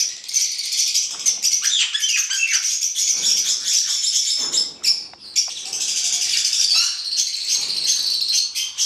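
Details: Hand-reared male black-headed caique in captivity giving a dense, nearly continuous stream of harsh, high-pitched screeching calls, with brief pauses near the middle.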